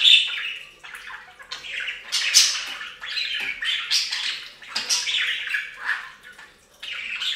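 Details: Budgies bathing at a fountain give rapid bursts of raspy chatter and high squawks, busy for most of the clip and dropping briefly near the end.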